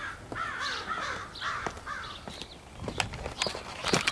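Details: Crows from a large gathering, possibly picking mates, 4 April 2015; several hoarse, drawn-out caws in the first two seconds, then sharp clicks and rustling noises.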